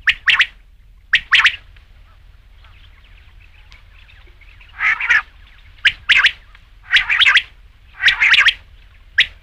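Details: Batair or rain quail giving coarse, buzzy paired calls, some stretched into longer raspy bursts, spaced a second or more apart over a steady quiet backdrop.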